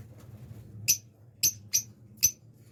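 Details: A breeding pair of blue lovebirds kept indoors gives four separate short, sharp, high chirps spaced about half a second apart, with a faint low hum in the background.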